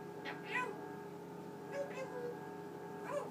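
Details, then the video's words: Pet male Eclectus parrot at night, reciting his growing vocabulary before his cage is covered; three short, faint, speech-like vocal bursts spaced about a second apart over a steady refrigerator hum. "my talking Eclectus Parrot"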